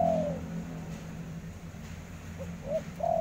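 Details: Spotted dove giving mellow, low coos: a drawn-out falling note opens, then after a pause two short coos lead into another long coo; constant low background hum throughout.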